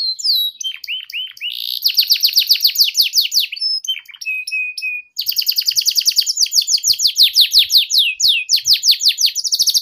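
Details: Tutor song of a canary for young canaries learning to sing: varied phrases of downward-sweeping notes, a thin sustained whistle, then long fast rattling trills of high descending notes.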